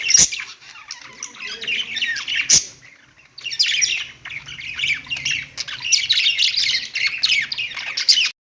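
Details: Perched pet budgerigars chirp and chatter in a fast, rambling warble of squeaky and grating notes, pausing briefly after a sharp click near two and a half seconds before resuming in a long dense run.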